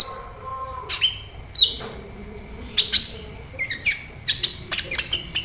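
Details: Kolibri ninja sunbird singing: a low whistled note, then separated thin high chips and clicks, speeding into a quick series of sharp metallic notes toward the end.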